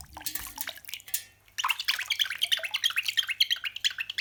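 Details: Pet cockatiel imitating the sound of running water: rapid, bubbly, gurgling trickle of short chirpy notes, about three per second, after a brief opening of soft warbles and a pause.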